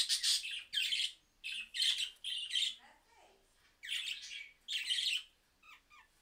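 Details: Budgerigars responding to a phone recording with loud bursts of raspy, buzzy chatter in quick succession, a quiet gap with soft low sounds, then further harsh warbled bursts.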